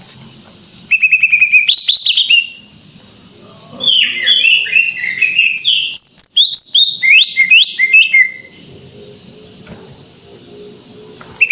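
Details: Cucak ijo, or greater green leafbird, singing full gacor: rapid buzzy trill of repeated notes, then long tumbling runs of slurred whistles and twitters, ending with scattered high calls.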